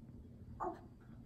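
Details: Pet male African grey parrot (Psittacus erithacus) that acts like a dog, mimicking a dog: a single short, dog-like bark over a steady low background rumble.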